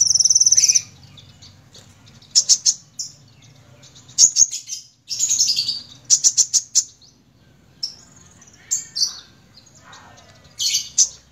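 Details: Kolibri ninja sunbird in gacor singing: sharp, very high chirps and short twittering bursts in irregular clusters, separated by brief pauses, against a faint low background rumble.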